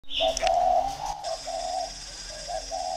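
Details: Spotted dove coos from two decoy birds competing against each other, low mellow notes running together in a dense, overlapping sequence for about two seconds, with a brief higher chirp near the start.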